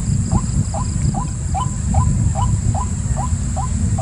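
A White-breasted Waterhen repeats a hollow, slightly rising 'kook' about twice a second, steady and monotonous, over a heavy low rumble and a constant high insect hiss.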